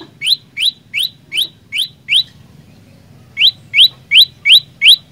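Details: Olive-backed tailorbird singing energetically: a run of six bright upslurred chirps, a pause of about a second, then five more, each note quick and clipped, over a soft low background hum.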